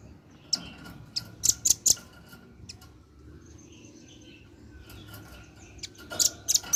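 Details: Male velvet-fronted nuthatch calling vigorously to its companions, used as a lure recording; short clusters of sharp, very high ticking notes, a quick burst near the start and another toward the end, with a faint steady hum beneath.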